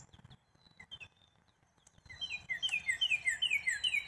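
Black-capped chickadee: a few faint high notes, then a quick run of bright, down-slurred notes, about four per second, over light outdoor background noise.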